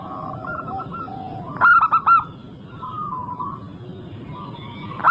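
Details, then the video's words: Local zebra dove singing actively as a lure: soft coos from other doves, then a loud burst of four crisp cooing notes, and the start of another phrase at the end, over steady low noise. "Pancingan super ampuh untuk semua jenis burung perkutut."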